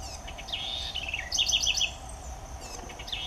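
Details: Southern house wren song: a quick run of bright, high chattering notes that rise and fall, with trills in the middle and a softer phrase trailing at the end over a steady low background hum.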